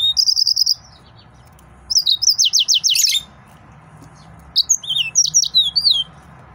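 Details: Excited male yellow-fronted canary: a fast trill opens, then a run of sweeping downward notes, and after a brief pause a jumble of varied high whistles and chirps.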